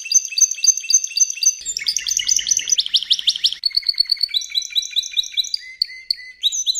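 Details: Spanish Timbrado canary training audio from 2014–2015: rapid pulsed trills, a loud buzzy rolling passage, then steady repeated rising notes at about four per second.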